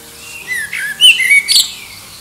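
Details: Common blackbird singing near Liverpool, under an airport flight path, competing with distant birds to attract a mate: a few short, clear fluted whistles, some sliding downward, then a brighter, higher twittering flourish, over a quiet background.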